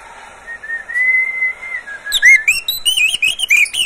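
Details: Captive Oriental magpie-robin opens with a long, thin, steady whistle, then breaks into lively, varied phrases of loud sweet whistles interspersed with sharp clicking chips.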